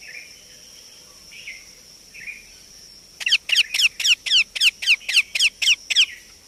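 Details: Indian ringneck parakeet chick giving a few soft, rising calls, then a fast, regular series of about ten sharp, down-slurred chirps, roughly four per second, over a constant high whine.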